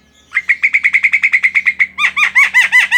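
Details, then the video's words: Jalak kerbau, the Javan myna, in chattering song used to provoke rivals into singing: a rapid even run of about fifteen short notes, then louder, arched, ringing notes. "Suara burung jalak kerbau ngoceh | pancingan jalak kebo"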